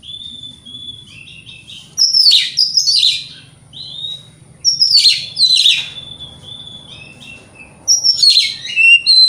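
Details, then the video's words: Morning song of a white-rumped shama used to provoke rivals: three loud phrases of harsh chatter and sharp whistles, each about three seconds apart, joined by quieter sustained whistles over a low hum. "Pancingan Kacer Gacor Pagi Hari Bikin Lawan AUTO NYAUT!!!"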